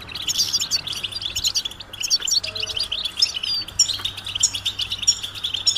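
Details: Many European goldfinches calling together, mating and readiness calls meant to stimulate males to sing: a dense, continuous chorus of high, bright twittering and tinkling chirps, overlapping throughout, with a faint low hum underneath.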